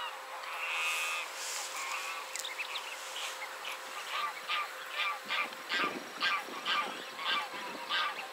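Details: Caspian gull calling after chasing off another gull: harsh nasal notes at first, then a rhythmic run of short, loud pulsed calls repeated about twice a second during the second half.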